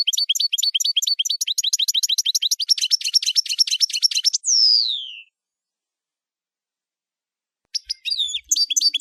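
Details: Goldfinch song of rapid repeated twittered notes merging into a dense trill and ending in a long, clear, descending whistle, followed by silence and renewed chips.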